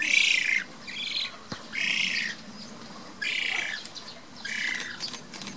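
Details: Black-faced spoonbill chicks being raised at Tama Zoo, Japan, on 22 June 2017; harsh, hissing squawks come in bursts of about half a second to a second, repeated several times with short pauses.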